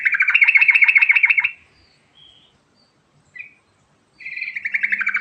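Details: Sooty-headed bulbul singing in the rolling ngerol style: a loud, fast run of about fifteen buzzy, even notes lasting a second and a half, a pause with two soft chirps, then the rapid trill starts again.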